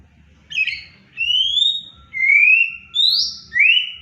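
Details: Pet Oriental magpie-robin, excited and happy as it greets its owner, gives clear, pure whistled notes: a series of long, smoothly rising and slurred phrases about half a second apart, with a faint low hum underneath.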